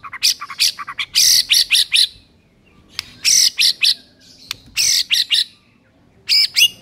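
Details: Harsh, high, rasping bursts of repeated notes from a white-rumped shama, in master song meant to get silent birds singing. The bursts come in clusters roughly every two seconds, with short silences between.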